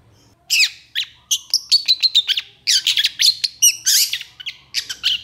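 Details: Long-tailed shrike in energetic 'gacor emosi' song with long bursts ('tembakan panjang'). Rapid series of harsh, broadband chattering notes, with a brief sustained whistled tone in the middle. The phrases run almost without pause.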